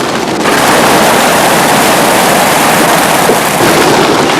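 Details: Strong wind buffeting and rushing surf-like noise roar without pause, and no animal sound stands out.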